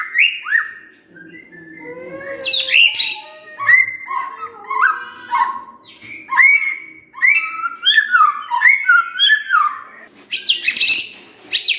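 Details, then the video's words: White-rumped shama song played as a provoking lure, a rich, varied stream of loud whistled phrases, sweeping slurs and sharp harsh bursts, changing every second or so, with a faint low hum behind. "Pancingan Murai Batu Bongkar Isian"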